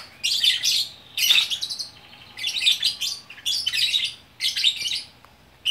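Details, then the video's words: Bukittinggi, West Sumatra: a lovebird performing gacor orkestra song. Four or five loud bursts of grating, high chatter, each under a second long, separated by short quiet pauses. "Burung Lovebird Gacor Orkestra"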